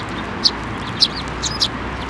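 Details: Sparrows at a Tenmangu shrine coming to a hand to be fed, 28 December 2023: four sharp, thin chirps spaced about half a second apart over steady background hum.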